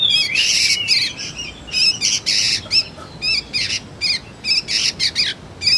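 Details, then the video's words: Sooty-headed bulbul juvenile, intended as luring and tutoring material for magpie-robins, uttering loud harsh squawking chirps and short raspy stuttered notes, repeated roughly twice a second in uneven bursts. "suara burung kutilang anakan"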